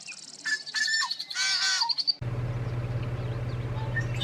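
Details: A Yellow-headed Blackbird in spring at Ridgefield National Wildlife Refuge, Western Washington, late April, sings a few harsh clucking notes, then a long rasping, buzzy scrape ending in a thin whistle. A steady low hum and noise follow.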